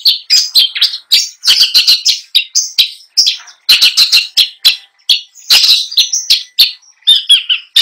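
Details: Long-tailed shrike kept for song contests pouring out a nonstop medley of imitated notes, quick chirps, trills and harsh chatters in rapid succession.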